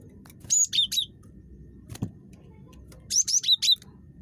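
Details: Talkative cinereous tit, recorded as a lure for other tits, uttering two short bursts of three or four high, sharp notes, alternating higher and lower pitches, separated by a pause and a soft knock.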